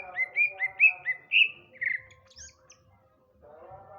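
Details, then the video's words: In the afternoon, a male Sumatran greater green leafbird sings in full voice: a rapid string of short whistled notes, then a louder drawn-out whistle and a buzzier note, followed by quiet. "suara burung cucak ijo di sore hari"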